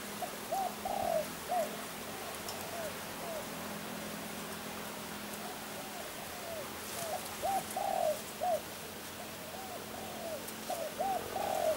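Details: Spotted dove, a champion bird from Kebon Kacang, cooing in two spaced phrases of soft, rounded, mid-pitched notes that swell in the middle, over steady low hum and background hiss.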